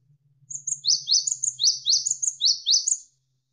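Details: Lively Javan sparrow used as a tutor recording for songbirds: around ten high, bright, downward-slurred chirps in close pairs, racing along for two and a half seconds over a faint low hum.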